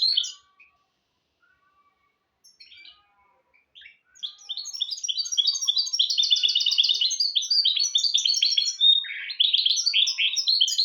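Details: Goldfinch × canary hybrid singing a tutor song for goldfinches and canaries: a few scattered soft notes, then a long, loud, fast twittering run of high chirps and trills from about four seconds on.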